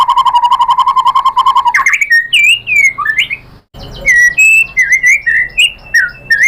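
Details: White-rumped shama lure song meant to stir a rival bird to answer: it opens with a fast, steady run of repeated notes, then shifts after a short break into varied rising and falling whistles and sharp chirps.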